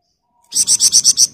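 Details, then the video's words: Golden-bellied gerygone (flamboyan) in dense, nonstop ngebren-style song, used as a master recording to train other birds: six rapid, evenly spaced high buzzy pulses in one short burst after silence. "Burung Flamboyan Gacor Ngebren Rapat"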